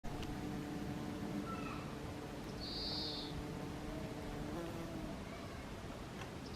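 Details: Japanese pygmy woodpecker in the grounds of Hōzōin temple, Kasaoka, Japan, calling after a Japanese white-eye; a single short, buzzy high note stands out faintly over steady low background hum and noise.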